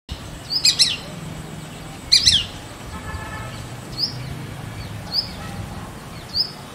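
Shikra giving sharp, high, harsh notes: two loud bursts a second or so apart, then thinner single chirps every second, over a low background hum.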